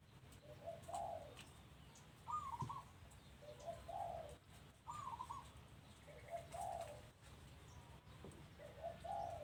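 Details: Faint cooing of a dove at a house, short rolling phrases repeated every couple of seconds against a noisy background hiss.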